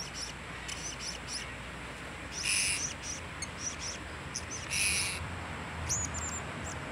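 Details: A single blue-crowned hanging parrot gives very high, thin chirps in short bursts, with two louder, shrill squeaky notes, all over a steady background hiss.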